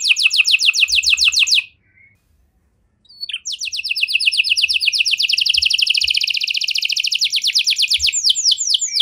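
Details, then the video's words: Canary performing the cengkok mewah song style: a quick trill, a pause of about a second and a half, then a long, dense, rapid trill that speeds up toward the end. "Burung Kenari Mana Saja Pasti Ikut Gacor Setelah Dengar Kenari Cengkok Mewah Ini"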